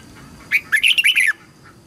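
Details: Red-whiskered bulbul practice song, meant to help young birds learn their song and to get freshly caught birds singing: a single lively phrase of five or six rapid, liquid warbling notes lasting under a second.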